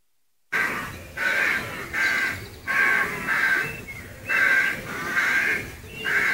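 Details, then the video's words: Rooks calling from trees beside a footpath outside Gaia House retreat grounds in Devon: harsh, grating caws of several birds overlapping, repeated roughly once a second with short gaps. "Rooks at Gaia House"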